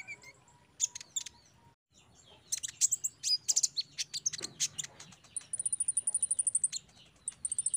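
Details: Sunbird therapy song for bulk-bought untrained caged birds. Sharp high chirps and a dense burst of varied notes, then a long, very high, rapid even trill and more quick chirps.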